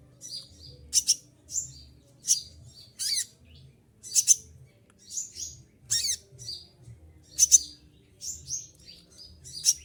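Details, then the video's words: Olive-backed sunbird still in full voice while moulting: sharp high chirps and whistled slurs repeating roughly every second, interspersed with occasional descending sweeps, faint low background hum. "konin lagi mabung bulu rontok semua tetap gacor"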